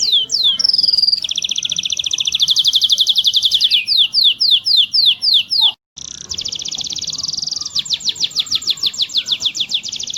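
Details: A canary sings a tutor song from 2020, used to teach other canaries to warble and roll: a sustained whistle, rapid buzzy rolls, then a string of distinct downsweeping chips, a brief break, and more fast trills.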